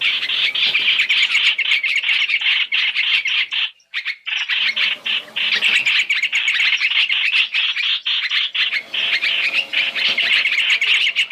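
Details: Trapping lure of Chinese hwamei, three calls in one: an almost unbroken, loud, grating chatter of quick repeated notes, briefly pausing once before resuming just as densely.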